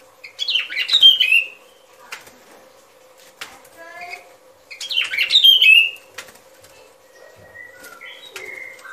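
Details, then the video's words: Sooty-headed bulbul lure song for trapping: two bubbly whistled phrases about four seconds apart, with a steady low hum and faint calls from other birds in between. "Tiếng Chim Bông Lâu Mồi Chuẩn Mp3 || Âm Thanh Đi Bẫy."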